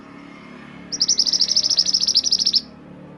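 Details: Song of Mantenan gunung, a master recording for training songbirds: after a quiet start, a fast burst of high, clipped notes runs for about one and a half seconds, then stops abruptly.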